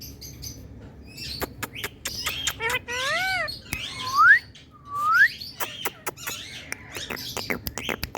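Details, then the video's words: Happy Indian talking parrot mixing dry clicks and tongue-like ticks with wavering whistled notes and two strong rising whistles in the middle, followed by more clicking chatter. "Indian Talking Parrot"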